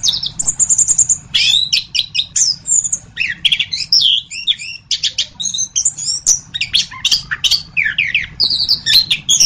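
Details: Orange-headed thrush song from a masteran recording: a long, fast stream of high chirps, trills and twisting whistles packed closely together with hardly a break, over a faint low hum.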